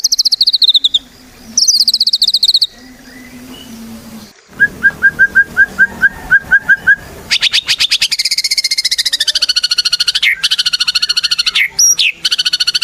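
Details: White-rumped shama song used as a lure to set other shamas singing: high trills, a run of short lower chirps, then a long buzzy rapid trill with sliding overtones.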